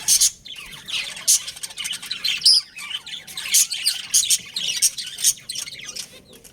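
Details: Budgerigars from a pet breeding pair in continuous high chatter: sharp squawky chirps and thin tweets pulsing in quick, uneven bursts throughout, no other clear sounds.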